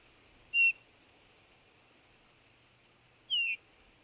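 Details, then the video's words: Eurasian bullfinch giving two soft piping whistles nearly three seconds apart, the first steady and the second sliding downward, with a faint hiss behind. "bullfinch pyrrhula sound bird"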